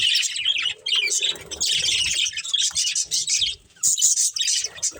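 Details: Budgerigar breeding pair chirping steadily, a dense stream of high, grating warbles and squeaky notes with a few short gaps and soft background rustle.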